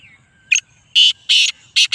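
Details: Black francolin of a speeder chakri type: a short run of four loud, harsh, grating notes at about quarter-second spacing.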